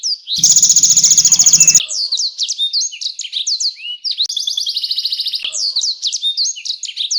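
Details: Canary singing to train competition songbirds: opens with a loud buzzy rolling trill, then quick upward and downward slurred chirps, a second high trill, and more rapid twittering phrases.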